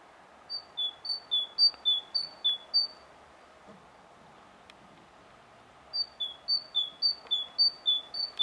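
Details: Coal tit singing, filmed on a Sony HDR-PJ10 camera; high, clear two-note phrases, a higher note then a lower one, repeated in a fast regular series of about six pairs, a pause, then another series.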